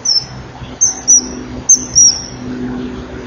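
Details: Common kingfisher (Alcedo atthis) at a nest-wall camera, 26 January 2012 at 09:52, as the female chases the male off his fishing perches; three or four shrill, very high, thin whistles in quick pairs over a low hum.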